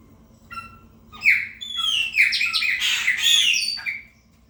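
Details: Territorial song of a chopi blackbird, 'preta fumaça' style: a few soft introductory notes build into a loud, continuous run of gurgling, harmonic whistles and downward slurs lasting about three seconds.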